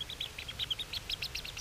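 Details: A Bermuda petrel chick on Nonsuch, Bermuda, 14 March 2020, weighed at 174 grams, gives a rapid run of thin, high chirping peeps, several each second, over a faint low background rumble.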